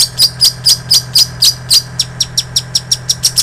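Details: Long-tailed shrike song packed with imitations of other birds, used for training songbirds: steady high chirps about four per second, growing quicker and softer in the second half.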